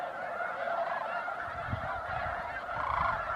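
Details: Wintering snow geese at Bosque del Apache National Wildlife Refuge, December 2009, dawn or dusk: a steady wash of overlapping honks from a big flock, with some low rumbling or wingbeat-like sounds partway through.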